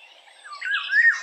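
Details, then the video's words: Eurasian golden orioles singing: a brief fluty, warbling phrase that ends in a clear, slightly rising whistle. "canto de la oropendola europea"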